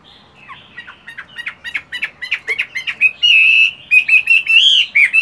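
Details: Morning practice by a moulting, caged fighting-type Chinese hwamei: an accelerating series of short rising chips leads into long, loud, ringing whistled phrases with quick warbled ornaments.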